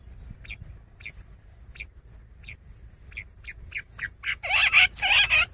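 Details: A common quail in a summer meadow gives short, sharp mid-pitched notes that speed up over a few seconds before ending in two louder, rasping bursts, over a faint low background rumble.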